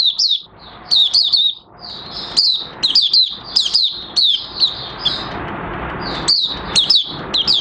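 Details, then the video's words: Oriental white-eye, known locally as mata puteh raja, starting to sing on 30 August 2022 as new white feathers finish colouring; high, thin twittering phrases with rapid warbled notes in short bursts, over a steady background hiss. "Mata Puteh Raja Buka Sing"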